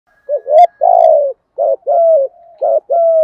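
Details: Spotted dove calls, male and female, used to train decoy doves, in giọng thổ, thúc gù and gáy gọi styles: three low cooing phrases, each a short note followed by a longer, slightly falling coo.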